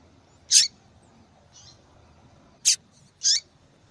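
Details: A female yellow-bellied seedeater calling to draw attention: three high, sharp chirps, the last with a downward sweep, with a faint soft note between the first two, over a quiet background.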